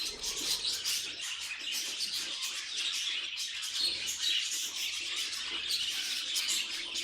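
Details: Nonstop budgerigar chirping, high and rasping, with quick repeated tweets layered over one another in a lively, crowded chorus.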